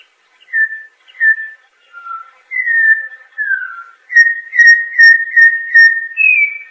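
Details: Campo troupial (Icterus jamacaii) delivering a melodious phrase of separate downslurred whistles, speeding into rapidly repeated rich notes and closing on a higher, sustained whistle; no background noise.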